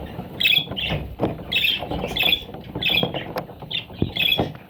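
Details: Parrot chicks calling in loud, rasping squawks in quick pairs and runs, each burst harsh and grating, with low rumble and knocks underneath.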